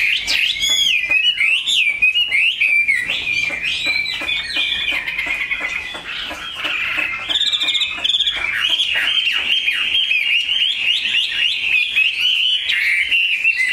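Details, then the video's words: Caged Chinese hwamei with a three-colour pattern delivering a long, loud song of varied whistles, slurred upward and downward sweeps and fast chattering trills, with a brief softer dip midway before resuming strongly. "Họa mi dáng ngũ trường, bóng bộ cực đẹp, tam hoàng"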